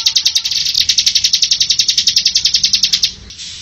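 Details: Bar-winged Prinia (ciblek) singing in the rapid ngebren style: a dense burst of sharp, high ticking notes, about three and a half per second, running evenly for three seconds before stopping abruptly.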